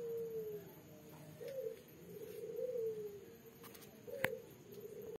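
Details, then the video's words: Female spotted dove in red plumage with black neck collar, calling energetically at night, 'kuk 3' type: a falling coo, then a series of soft, rounded coos, with a sharp click near the end. "derkuku warna kuk 3, gacor di malam hari"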